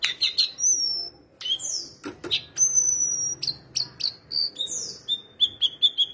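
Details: Kept shortwing in full song: a long, level, very high whistle among short, clear piping notes, then a fast series of repeated high chirps toward the end. A soft thump is heard briefly.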